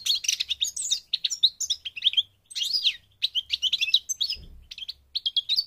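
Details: Moroccan goldfinch, subspecies parva, delivering a lively stream of bright, quick twittering notes, broken by two short pauses, with a faint low thud near the end.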